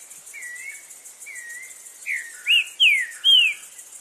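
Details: Green-winged saltator singing loudly in nature: soft, faint whistled notes build into three loud, ringing downslurred whistles near the end, while insects buzz steadily in the background.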